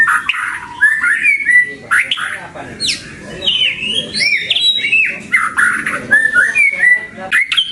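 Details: White-rumped shama singing a rich, varied song for luring and tutoring pet birds. Fast, shifting whistles rise and fall, broken by sharp high chips and rapid slurred notes in a continuous, melodious stream.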